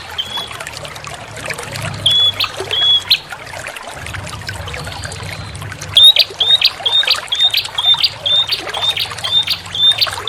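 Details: Bar-winged prinia lure call over trickling water: thin whistled notes near a steady pitch, brief bursts then a fast run of repeated short notes in the second half, with constant water gurgling beneath.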